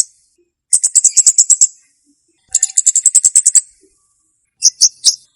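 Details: Olive-backed tailorbird, recorded for luring and training: two bursts of fast, evenly spaced high trilled notes, followed by a few louder separate chips.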